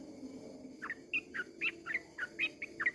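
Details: A sooty-headed bulbul at dawn starts its long 'ropel' song after a second of hiss: about eight short, quick whistled notes, some sharply upslurred, set against steady background noise.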